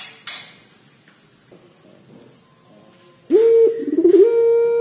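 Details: Barbary dove known for its long cengkok panjang coo: after a quiet start with faint background clatter, a loud steady coo begins and wavers slightly with a trill-like texture, continuing to the end.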